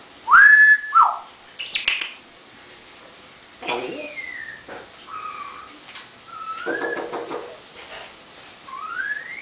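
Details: Captive African grey parrot, 18 years old, known for mimicry, produces a string of varied whistles: sharp rising and falling notes, gliding slurs and clicks, scattered over several seconds indoors.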